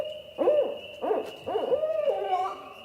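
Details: A female Barred Owl calling out to other owls, perhaps to a partner: four rich, arching hoots about half a second apart, the last drawn out and wavering, over a faint steady hum.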